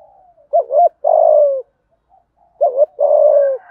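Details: Spotted dove cooing, used to stimulate other doves to coo: two phrases, each a short doubled hooting note followed by a longer, level, slightly falling coo, about two seconds apart.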